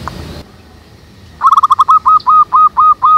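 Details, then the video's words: Local zebra doves singing together in the wild, the song style called manggung: after a short low rustle and a pause, a fast burst of short hooked notes near one pitch, then evenly spaced longer rising-falling coos, about four per second. "SUARA BURUNG PERKUTUT MANGGUNG RAMAI DI ALAM"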